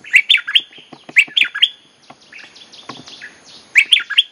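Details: Wild-bird lure recording of a bulbul: loud clusters of three or four bubbly whistled notes repeat about every second, with softer sliding whistles between.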